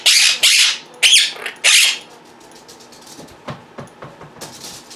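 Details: Pet Quaker parrots kept indoors, vocal while their owner edits at a computer; several loud, harsh, broadband screeches in the first two seconds, then softer scattered chirps and clicks.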